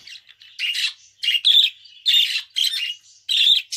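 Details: Budgerigar warbling in distinct loud bursts of squeaky, buzzy notes about every half second to second, with soft thin chirps and short silences between them.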